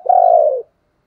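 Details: Decoy spotted dove calling, a single drawn-out mellow coo lasting about half a second, steady then dropping slightly at the end.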